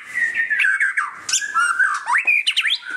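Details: White-rumped shama song during display: fast, loud mix of fluty whistles, squeaky slurs and harsh notes, tightly packed.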